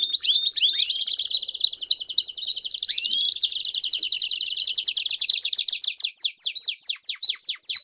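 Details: Canary song in the campainha style with piados, for young canaries to learn: dense high trill with rising whistles, breaking into separate sharply descending notes toward the end.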